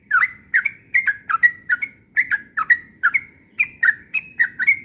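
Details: Yellow-vented bulbul, called trucukan, in insistent morning song: a steady stream of liquid bubbling whistles, roughly three per second, each with a quick sharp onset and a slurred tail, in an unbroken rhythmic series.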